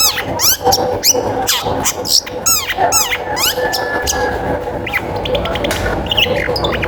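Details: Energetic long-tailed shrike singing, meant to set other shrikes off singing; dense bursts of fast descending whistles and scratchy notes in the first half, then a thinner scatter of chips and a held tone, over low background noise.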